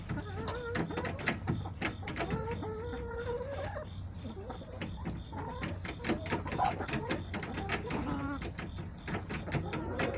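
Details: A backyard chicken flock, recorded September 21, 2024, with hens giving long, trilling, drawn-out notes and soft clucks, some calls sliding slightly upward, several birds overlapping against constant low background noise.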